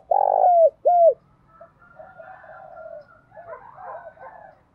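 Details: Spotted dove decoy bird, kept to stir wild doves to coo, opening with two loud rounded coos, followed by a softer, more distant run of cooing notes.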